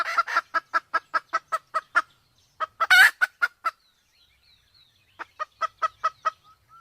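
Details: Sumatran red junglefowl, male and female with female in heat, hunting lure: two runs of quick even clucks separated by a harsh louder burst and a short silence, about five clucks per second.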